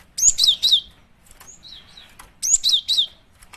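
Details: Female cinereous tit lure call: two matching bursts of three or four bright, high chirps sliding downward, about two seconds apart, with faint thin notes between them.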